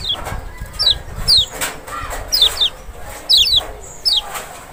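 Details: A Lemon-bellied white-eye (Lombok or Sumbawa pleci, Zosterops chloris maxi) sings thin, high, quickly falling whistled notes in twos and threes, roughly every half second, over a faint background hiss.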